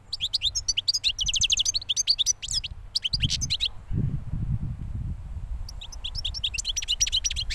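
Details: Recently moulted European goldfinch, a young bird from last year, singing: bursts of rapid twittering and tinkling notes with buzzy trills, a pause in the middle filled with low rumbling background noise, then the twittering resumes.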